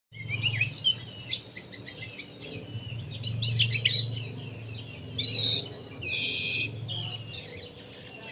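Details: White-rumped shama singing a varied run of high, quick whistles and chirps, with trills and sweeping notes, over a steady low hum.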